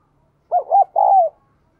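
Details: Spotted dove with a 'đồng kim' voice, a diligent cooer, used to spur newly caught captive birds to coo. One phrase: two short, low hooting notes, then a longer falling coo.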